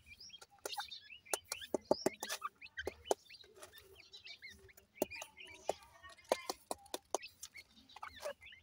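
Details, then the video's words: Partridge chicks at play give scattered thin chirps, some rising and some arched, between loud, repeated sharp clicks and knocking sounds. "partridge bird chicks playing"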